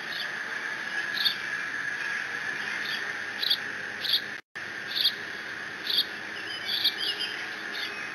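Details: A lone bald eaglet squees over a fish its father dropped at the Decorah N2B nest on 30 June 2017, guarding it in case siblings arrive. Scattered high, thin squeals run over steady hum, with a brief dropout midway.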